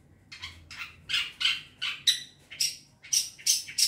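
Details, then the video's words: Young long-tailed shrike from the wild forest, a lure recording: coarse, scratchy notes repeated about three times a second, growing harsher and higher toward the end. "Pancingan burung cendet muda hutan"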